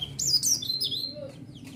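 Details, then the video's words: White-eye song played as a lure to provoke other white-eyes into responding: a short burst of high, thin, rapidly sliding chirps that fade toward the end, with a low hum underneath. "Pancingan Suara Burung Pleci"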